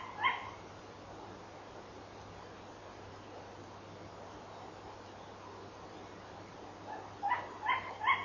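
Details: 4 Tawny owl barking at 23:32 on 11 November 2013, on a nest-box camera: short, sharp yapping barks, one alone, then three in quick succession after a long pause, over steady hiss and a low hum.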